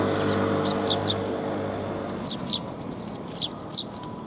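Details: Sparrows coming to be fed at a Tenmangu shrine on 4 January 2021: scattered short, high chirps given in quick pairs and clusters over a steady broad background rush.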